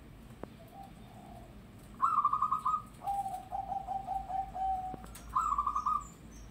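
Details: Loud local zebra dove song: a quick trilled coo phrase, then a long chain of soft stuttering notes, and another trilled burst near the end, over a low hum.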